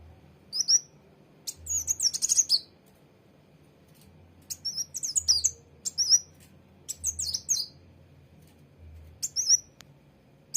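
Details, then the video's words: Sunbird locally called kolibri wulung or mucang trotol, singing in short bursts of high, thin, squeaky chirps and rapid twittering phrases, separated by pauses of one to two seconds, with a faint low rumble underneath. "Kolibri wulung/mucang trotol"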